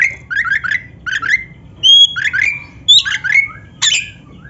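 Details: Oriental magpie-robin, black-breasted form, singing lively phrases for training caged birds: harsh, buzzy notes around a mid pitch, grouped in quick triplets, broken by a clear high whistle and a sharp rising squawk near the end.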